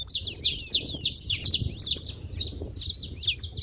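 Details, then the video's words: A flock of saffron finches at a feeder keeps up rapid, high, buzzy chirps about three a second, many calls overlapping, with faint low noise beneath. "canário da terra fazendo barulho na seva"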